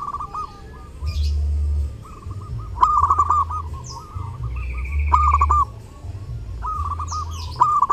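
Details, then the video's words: Zebra dove singing actively at Lebaran: repeated bursts of quick rolling coos with trailing notes, a thin higher whistle from another bird in between, and a steady low drone throughout. "LEBARAN TAMBAH RAME DENGAN SUARA PERKUTUT: Burung perkutut gacor saat lebaran cocok buat masteran"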